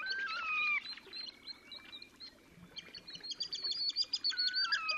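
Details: Terek sandpiper display song in Oka Nature Reserve, Russia, 30 April 2019: a descending whistled phrase opens, then thin piping and a rapid chattering trill, and a further stepped whistle closes the passage.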